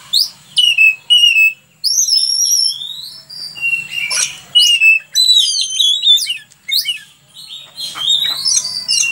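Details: Oriental magpie-robin singing strongly in a 2019 tutor recording for training birds. Bright whistled slurs and high wavering notes are broken by scratchy bursts, phrases following one another rapidly.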